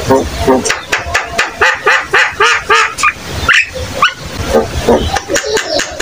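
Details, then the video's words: Vigorously singing Javan myna used as a tutor for young birds: dense, hoarse chattering notes packed closely, with a few rising squeaky slurs mixed among the rough, nasal syllables. "Burung Jalak Kebo gacor"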